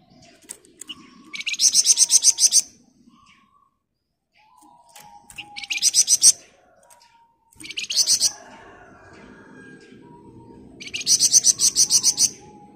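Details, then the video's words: Flamboyan bird singing 'ngebren rapat' for a master recording used to train other birds: four bursts of rapid, high, buzzy chatter, each lasting one to two seconds, with quiet gaps and some low background noise. "Burung Flamboyan Gacor Ngebren Rapat cocok buat Masteran Burung Anda"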